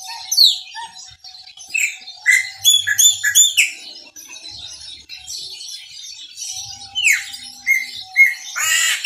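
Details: Chopi Blackbird of the "Maranhãozinho" type singing prolifically: a loud, varied run of rich whistles, sharp chirps and harsh squawky notes in quick bursts, with a faint steady hum underneath.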